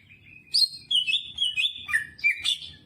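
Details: Greater green leafbird singing vigorously, its repertoire including jamtrok phrases: smooth, liquid whistles that glide up and down, with a faint low hum underneath.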